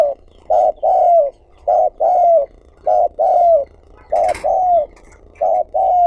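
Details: Decoy spotted dove cooing to lure other doves: steady mellow phrases, each a short coo followed by a longer falling coo, repeated about once a second, with one brief knock.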